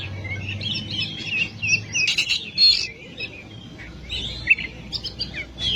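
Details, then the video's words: Oriental magpie-robin song from a long masteran recording meant to prompt quiet birds: bursts of bright whistles and scratchy notes separated by brief lulls, a loud burst near the middle, soft low hum in the background. "Masteran burung Kacer/Klacer gacor dor nembak durasi panjang cocok buat pancingan burung malas bunyi"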